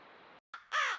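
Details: Crows making noise at a watering hole by a country home, caught on a trail camera: a soft raspy note, a brief silence, then one loud, harsh, broad caw that tails off.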